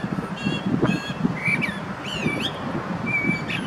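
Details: In Zurich canton, Switzerland, February 2017, a male common blackbird sings: loud harsh squeaky notes and rising-falling fluted slurs, closing with a thin level whistle, against a bustling low background.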